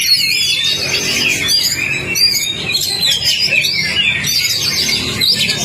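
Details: Kacer (Oriental magpie-robin) song played to provoke a non-singing bird: lively high whistled phrases and swooping notes, repeated in quick bursts, over a faint low rumble.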